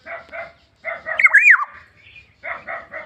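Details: Black-naped oriole gives pairs of harsh, nasal, buzzy notes around a loud twisting whistle, then another group of rasping notes.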